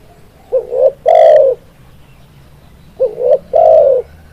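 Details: Spotted dove call used as a lure for trapping: low, hollow coos around 500–700 range, each phrase a short rising double note followed by a longer drawn-out coo, repeated twice about 2.5 seconds apart, over faint background hum.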